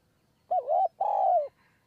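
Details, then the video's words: Spotted dove cooing on its perch in high forest near Kanchanaburi, Thailand, during decoy luring. Two strong mellow notes: a short wavering coo followed by a longer steady one that slides gently down as it ends. "คูบนคอน คูยาวมาก 170 คำ"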